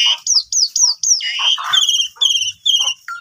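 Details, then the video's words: Asian pied starling song used to rouse starlings that have gone quiet: five quick high downslurred whistles at an even pace, a rough lower burst, then repeated buzzy slurred notes and a final short low whistle. "Coba Gunakan Pancingan Ini ! Semua Jalak Suren Yang Lagi Pundung Macet Bunyi Seketika Langsung Emosi"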